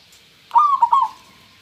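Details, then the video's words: Zebra dove of a local strain, clear-voiced, uttering one brief phrase: an upslurred first note followed by two or three fast bubbling coos that fade out, with background hiss. "perkutut lokal suara jernih"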